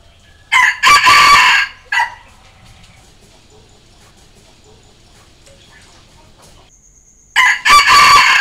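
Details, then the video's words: Decoy red junglefowl crowing to challenge wild junglefowl: a full harsh crow, then a long quiet pause, then a second crow starts near the end. "เสียงต่อไก่ป่า เสียงไก่สำหลับต่อ"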